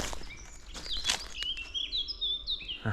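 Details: Eurasian blackcap on 10 April 2024, a cold (about 8°C) gloomy spring day after overnight rain, sings very close while holding its territory: a quick, varied warble of clear, fluty high whistles in bright runs over faint outdoor noise.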